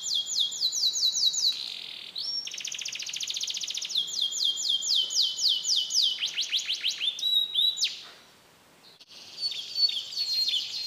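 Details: Canary of the Faba SF line in Pemalang, Central Java, Indonesia, sings a long mixed-fill song of fast bright trills and rapid repeated notes with sweeping whistles and a brief pause near the end.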